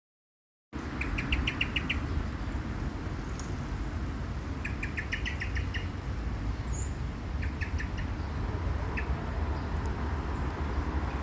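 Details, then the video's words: A chirping, hopping bird gives short bursts of quick, high chirps, four or five notes at a time, a few seconds apart, over a steady low rumble. "A chirping and hopping bird // 一只喜欢啾啾叫的鸟"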